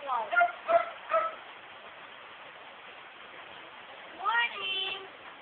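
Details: Female pet myna imitating words heard around the house: three quick harmonic syllables, a pause, then a longer rising voice-like phrase trailing into a steady tone.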